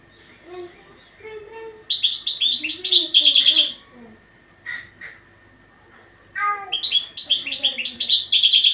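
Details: European goldfinch training song: bright, twittering high phrases of rapid buzzy and tinkling notes in two bursts, with softer, lower warbling notes between them and a faint steady hum underneath.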